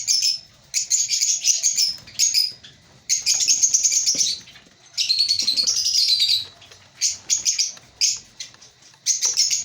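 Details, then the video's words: Breeding-colony African lovebirds giving shrill, buzzy chattering bouts of one to two seconds separated by short silences, with scattered sharp chirps. "Lovebird Singing & Chirping Sounds"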